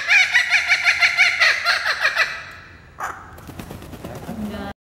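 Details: Kookaburra giving a fast, cackling series of loud repeated notes for roughly two and a half seconds that fade away, then a sharp knock and rustling handling noise.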